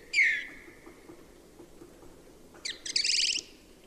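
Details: Song thrush: a single loud downward-sliding whistle, a pause of two seconds, then a rapid trill of high metallic repeated notes, with faint background hum.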